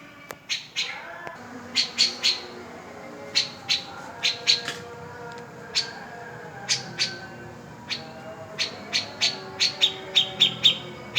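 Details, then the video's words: Cica jenggot singing vigorously, said to make silent birds start singing: sharp, bright chirps and clipped whistles in quick bursts, some rapid trills near the end, with short pauses between groups. "Suara cica jengot gacor"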